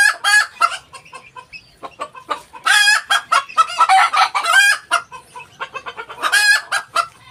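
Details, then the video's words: Noisy Ko Shamo hen, rapid string of loud clucks and raucous squawks almost without pause, strong harsh notes rising and falling over several seconds. "Ko Shamo Hen Making Noise"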